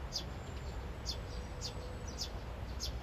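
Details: One of three vinous-throated parrotbills, amid one attacking another, gives five thin, high chips, about one every half second to second, while repeatedly calling to a cowering bird that won't move, over a steady low rumble.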